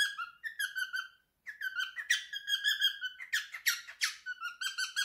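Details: A three-year-old male cockatiel kept as a pet sings his favourite song: rapid runs of whistled, slightly buzzy notes, one brief pause, then harsher squeaky bursts mixed into the melodic whistling.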